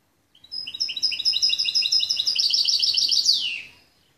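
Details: Goldfinch x canary mule, a hybrid, recorded in 2013, singing a bright, high song of rapid repeated trilled notes in quick succession for about three seconds, ending with a brief downward-sliding note.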